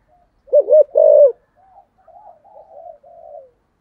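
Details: Spotted dove kept as a decoy bird, 'thúc gù giọng sấm thổ' style: two short coos and a longer held coo come early, followed by a string of faint wavering low murmurs.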